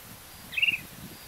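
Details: Short-crested flycatcher from Ouro Preto, Minas Gerais, Brazil, giving one brief rolling, slightly trilled call, a quick stutter of notes at mid-high pitch, over low rumbling background noise.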